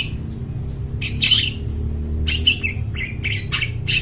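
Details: Clear-voiced long-tailed shrike, used to attract wild birds in the forest, uttering a few harsh, grating notes followed by a quicker cluster of scratchy chips, with a continuous low hum behind.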